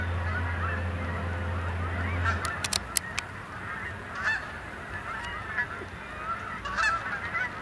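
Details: Flock of Canada geese flying in at dusk to Sapsucker Woods, Ithaca, New York, 28 October 2017, to roost on the main pond: a low hum fades out, then irregular overlapping honks and a few sharp clicks.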